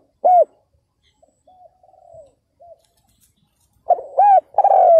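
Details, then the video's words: Spotted dove used as a decoy to lure wild males: a single loud arched coo, then soft quiet murmured notes, then the start of a full phrase with arched and long falling coos. "CHIM CU GÁY MỒI ĐẤT KÍCH BỔI CỰC SUNG"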